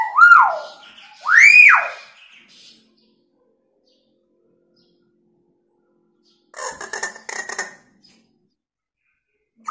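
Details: Hill myna, a lively bird imitating sirens and a woman screaming, recorded as a lure: two swooping, siren-like wails open the recording, then a long silence, then a short burst of harsh, buzzy, rasping notes.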